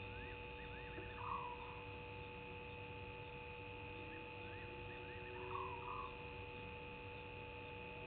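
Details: Barred owlet at Gowrie dam waterhole, Djuma Game Reserve, Sabi Sand Wildtuin, South Africa, at 02:40 on 20 March 2019: two faint runs of quick, repeated upswept notes about four seconds apart. Lower blurred calls and a steady electrical hum sit underneath.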